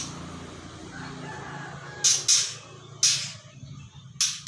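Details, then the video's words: Young white-rumped shama, three months old, practising song with a few sharp, raspy bursts after a stretch of low rumbling background noise. "Kicauan murai batu Sri Rama(umr 3bln) yang lagi dokor"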